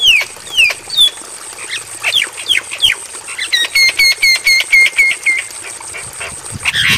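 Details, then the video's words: Javan myna tutor recording suited to night playback: a few sharp falling whistles and squawks, then about ten evenly spaced ringing whistled notes, ending in a harsh burst. A thin steady hiss runs throughout. "Masteran Bagus Untuk Burung Jalak Kebo"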